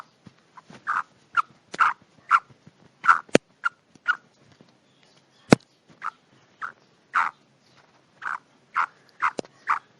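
Black francolin hen and chicks give short, husky mid-pitched clucks and chirps at an irregular pace, roughly one or two a second, with a couple of sharp clicks.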